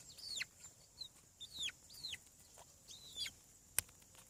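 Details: Newly hatching chicken chicks on a farm give high, thin peeps that each drop steeply in pitch, coming in small clusters with short pauses, plus one sharp tap near the end.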